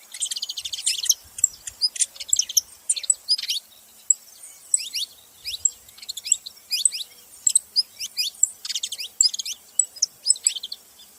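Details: A group of saffron finches calling in a dense, steady chatter of thin, high, downslurred chips, overlapping one another throughout, with a few faint low thumps in the background.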